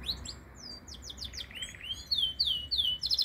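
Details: Canary singing in metralha style: a rapid series of clear downslurred whistles, about three per second, running into a dense rattling trill, with a faint pulsed trill underneath, loud and close.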